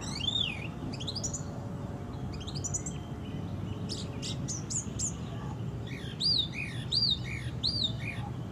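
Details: Wild orange-banded thrush (anis cendana) singing a varied string: arched whistles, rapid stuttering trills and sharp clicks, closing with loud arched notes repeated under a second apart; low background hum throughout.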